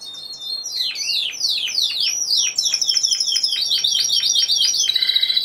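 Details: Timbrado Español canary at a singing competition, 26 November 2015, individual class. Loud continuous song of rapid descending sweeps, then quick evenly repeated notes about four per second, ending in a sustained metallic trill.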